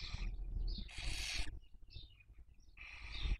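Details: Breeding-season Barn owl at a nest webcam in Spain's Cabañeros National Park, 2023, raising young: two loud broad hissing screeches framing several brief thin squeaks, with low rumbling background noise.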